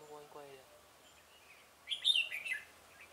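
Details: Red-whiskered bulbul singing during a trapping session on 17 November 2017 to draw rivals into a trap. A man's brief voice comes first, then a quick, loud, high jumbled warbling phrase.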